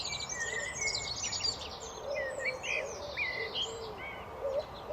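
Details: Blackbird song of rich whistled warbles and quick slurred notes, with busy high-pitched twittering on top and a low, gently repeated cooing underneath.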